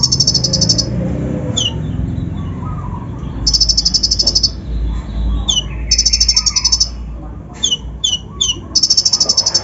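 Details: Untrained kolibri ninja (brown-throated sunbird) giving a provoking lure song with rough mimicry: long rattling high trills broken by clipped descending whistle notes, some softer chatter, low background hum.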